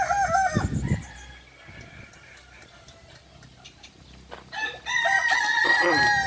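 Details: Ornamental Kukuak Balenggek chickens from Solok, West Sumatra, at a joint training event; a short wavering crow at the start, a quiet stretch with soft knocks, then a loud multi-stepped crow rising in the last two seconds.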